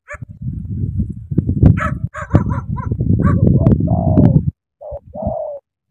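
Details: Spotted dove from Cà Mau, Vietnam: a long stretch of low, rough, rumbling notes, followed near the end by three short, clear, slightly falling coos with brief gaps between them.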